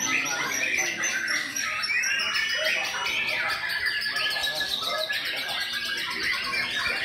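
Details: Rapid, rich song of a white-rumped shama: overlapping whistles, trills and buzzy notes running without pause, with a thin steady high tone and faint voices or chirping mixed in behind.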